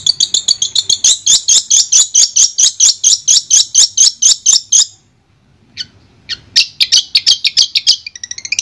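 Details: Long-tailed shrike from Madura, clear master song: a fast run of about thirty-five crisp high notes, then a pause, then a renewed rapid chattering phrase.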